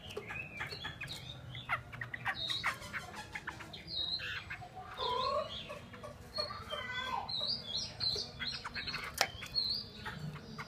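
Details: A captive Chinese hwamei in Hanoi, Vietnam sings a rich, varied run of loud whistled and slurred phrases, broken by sharp clicks and scattered chirps from nearby birds.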